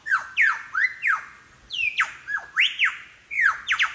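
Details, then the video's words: Wild lyrebird in the Royal National Park near Sydney, Australia, mimicking other birds along Forest Path: loud, sharply falling whistled sweeps repeated in quick bursts, with short gaps between phrases. "Mimicking sounds of the Lyrebird"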